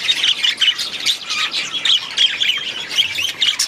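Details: Several budgerigars in an aviary give bright, scratchy chirps and warbled squawks in quick overlapping bursts, the flock chatter rising and falling every half second or so.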